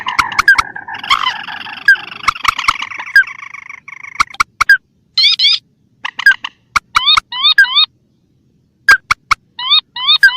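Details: Rail lure call for trapping in rice fields and swamps, mandar set against tikusan: harsh chattering at the start, then repeated sharp rising notes in short bursts with gaps of silence, many clicks between.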